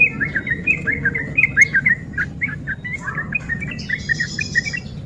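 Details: Sooty-headed bulbul singing a rapid ropel run, used to provoke lazy birds to sing; a busy stream of slurred, chattering notes, with a faint higher call sounding near the end.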